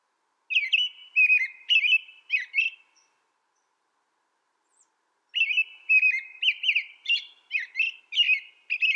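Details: Singing American robin, recorded in North America: two bursts of rich whistled caroling, each made of several rising-and-falling phrases in quick succession, separated by a silent pause of about two seconds; quiet otherwise.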